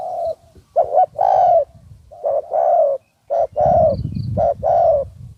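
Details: Spotted Dove during a decoy-trapping session in Thailand as two wild doves arrive; steady, mellow, low coos in paired phrases, a short note then a longer drawn-out one, repeated roughly once a second, faint rustle beneath.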